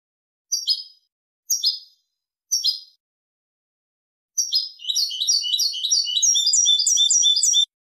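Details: Goldfinch Malaga song for teaching chicks and hybrids: three evenly spaced high chirps about one second apart, then a fast, sustained twittering run of jingling, buzzy notes rising and falling for roughly three seconds, no other sounds.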